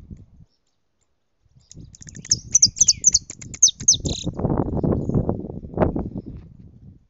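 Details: European goldfinch singing at full strength: a quick burst of high, thin, twittering notes lasting about two seconds, followed by loud low rumbling noise.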